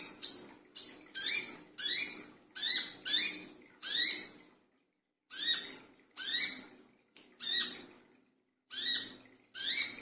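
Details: Noisy midnight calling of a brown-throated sunbird, a lure recording: around thirteen scratchy, buzzy notes with upward-sweeping tones, delivered in quick runs with one brief pause midway.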